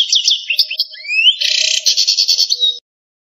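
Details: Native Algerian European goldfinch singing in the campero style: scattered high chirps, a long rising whistle, then a dense buzzy trill broken into quick repeated notes.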